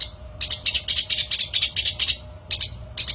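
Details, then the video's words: Long-tailed shrike song from a lure recording for attracting shrikes: bursts of high, harsh chattering notes in quick runs, with a brief pause before the rapid phrases resume. A faint steady hum sits underneath. "PANCINGAN MASTERAN PIKAT BURUNG CENDET"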